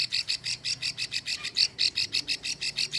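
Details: Female plain prinia (cici sawah), Ulujami, Central Java, calling to lure males with her extended klik series: about sixteen crisp, high notes in quick succession, slightly uneven in loudness.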